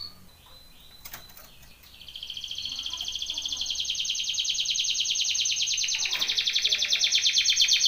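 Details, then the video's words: A canary's training song begins with faint notes and a few clicks, then breaks into a long rapid trill that steadily grows louder and keeps a very even, rolling pulse. "BEST canary singing / CANTO CANARIO CANTANDO FOR TRAINING / CANARY TRAINING SONG"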